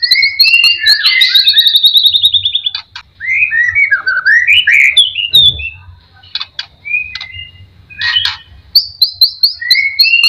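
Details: A white-rumped shama sings a lure song to spur others to sing. High repeated chips and a rattling trill lead into loud rolling warbles, then sparse notes and a final run of rising chips.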